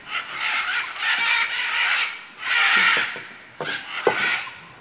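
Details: Wild macaws in Manu, Peru: loud grating screeches that run together in long, drawn-out bursts, followed by a few sharper, shorter calls.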